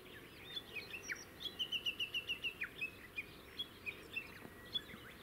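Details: Japanese bush warbler (Horornis diphone) singing on Teuri Island, Hokkaido, 22 June 2019: a quick run of about eight sharp, even, high notes, with scattered chirps from other birds over a steady wash of wind.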